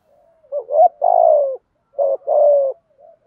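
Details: Cooing of male and female spotted doves, played to encourage kept doves to sing during training; two phrases in quick succession, each a short hooted note followed by a longer, gently falling low coo.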